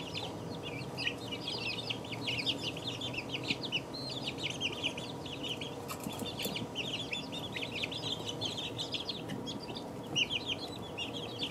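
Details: High, rapid peeping from a group of two-week-old chicks, a dense unbroken chorus of short chirps from many birds, over a constant low hum.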